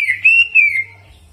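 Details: Greater green leafbird in energetic jamtrok singing that mixes in prinia (ciblek) mimicry: one short, clear, sustained whistle that wavers slightly before fading.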